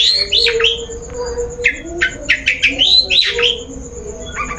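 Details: Long-tailed shrike lure sound used to prompt singing: tumbling mix of sharp chirps, squeaks and scratchy notes in quick clusters, with a low steady hum beneath.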